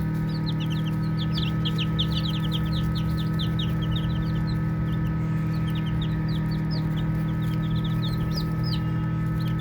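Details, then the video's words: Playing baby chicks fill the air with rapid soft peeps: many tiny descending chirps, densest in the first half, then a little sparser, over a steady low-pitched background drone. "Baby Chicks Chirping Sounds"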